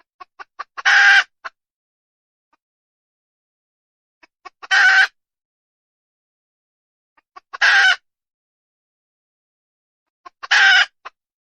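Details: Red junglefowl hen repeating a short phrase four times about every three seconds: two or three quick clucks, then a harsh, grating burst and a single trailing cluck.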